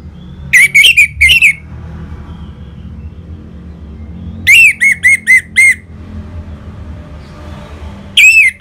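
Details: Orange-headed thrush song used as a lure to make caged birds answer and sing: short bursts of clear, wavering whistled notes every few seconds, separated by quiet gaps with a low background hum.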